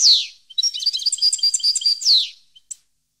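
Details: European goldfinch song recorded in 2015: a quick, liquid twittering of bright high notes and trills, opening and closing with a loud descending slurred note, then two brief faint chips.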